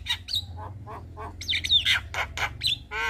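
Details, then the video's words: Javan myna singing in the evening as a tutor song for young birds: short harsh bursts, a few soft chucks, then a bright slurred whistle and a nasal buzzy note at the end, with a faint low hum. "Masteran Jalak Kebo Sore Hari Bikin Burung Jalak Muda Cepat Gacor"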